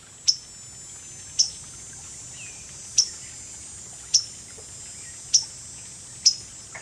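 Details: A waterthrush on a branch overhead, recorded on 30 July 2011, gives six sharp, metallic chip notes about one per second over a steady high hiss of insects or rushing water.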